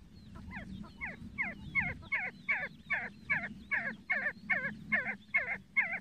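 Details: See-see partridge giving a rhythmic run of twisting, two-part notes, roughly fourteen in six seconds, starting soft and becoming louder and more even, over faint low hum.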